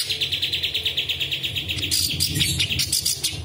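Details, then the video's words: Cucak cungkok bulbul singing in a master recording meant to train competition songbirds, with varied 'tembakan' phrases imitating other birds such as cucak jenggot and balang kerek: a fast run of sharp, evenly repeated chirps gives way to mixed, buzzier notes, over a low background hum. "Cucak cungkok istimewa tembakan istimewa BESETAN RAPAT SEDANG BESETAN C.JENGGOT DAN BALANG KEREK DLL"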